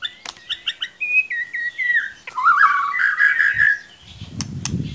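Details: White-rumped shama lure singing meant to spur a young shama that sings too little: quick falling whistles, then a long warbled rolling phrase, with low rumbling noise at the end.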